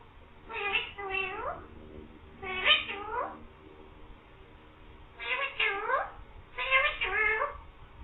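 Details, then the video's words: Green parrot mimicking speech and a cat's meow, "mian mithu meow"; four double-syllable harmonic phrases with wavering, downward-curving contours, spaced a couple of seconds apart. "beautiful green parrot talking saying mian mithu meow"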